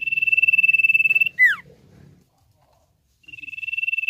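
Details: Common iora sustaining a loud, rapid pulsing trill on one high pitch, breaking into a steep falling note, then silence before the trill starts again.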